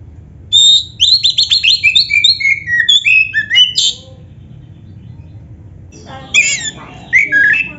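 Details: Caged black-breasted oriental magpie-robin, song used to trigger singing in other caged birds; fast run of bright whistled and chirping notes, then a pause and a few harsher squawky phrases.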